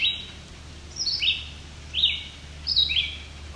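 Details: A family of at least five White-breasted Nuthatches, with young being fed by a parent, calls fairly quietly on rocky alvar near Cape Chin North, Ontario, on July 17, 2019. There are four short, high, down-slurred calls about a second apart over a faint low hum.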